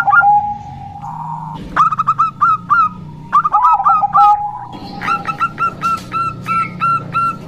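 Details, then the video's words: Bangkok-type zebra dove, described as a local female in lively voice: a steady low coo, bursts of crisp popping notes, then a longer even series of soft coos near the end. "Perkutut Bangkok Gacor"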